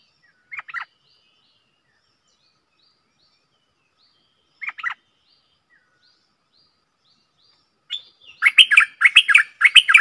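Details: Caged stripe-throated bulbul recorded 7 June 2021 for song training: two short, sharp chirp clusters spaced several seconds apart, then a rapid run of loud, bubbly notes to the end.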